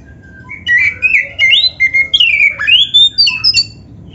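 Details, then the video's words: Black-breasted oriental magpie-robin in full, loud song rich in mimicked fill-in phrases, used to prompt other magpie-robins to sing; a rapid run of varied whistled slurs, rising and falling notes and short buzzy squawks in continuous sequence. "LANGSUNG NYAMBER - SUARA KACER GACOR FULL ISIAN ‼️ Bikin Kacer Lain ON GACOR"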